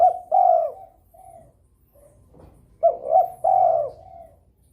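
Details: Spotted dove in breeding mood, calling eagerly to stir rivals into calling: two phrases of low hollow coos, a short note leading into a longer drawn coo and a soft tail, the pattern repeated after a quiet gap.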